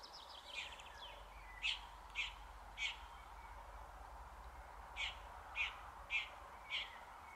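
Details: Red-backed shrike singing an elaborate song imitating other bird voices: a scratchy trill, then a series of short sharp chirps in two groups of three and four, about half a second apart, over low background hum.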